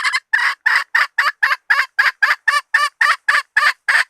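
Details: Hen calling as bait: a steady, even train of about sixteen sharp, raspy clucks, nearly four per second, each short and equally loud, with nothing else audible.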